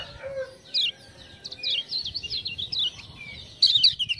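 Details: Kecial kuning, a lemon-bellied white-eye from Lombok, sings to a ciak-ciak lure. It gives a thin, wavering string of high notes that ends in a louder, bright chirping flourish.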